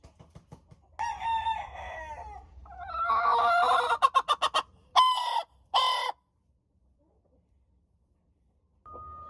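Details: A hen crows amid clucking: soft clicks first, then a long wavering harmonic phrase, a burst of rapid choppy notes, two short loud crow notes, silence, and a faint final call with low background rumble.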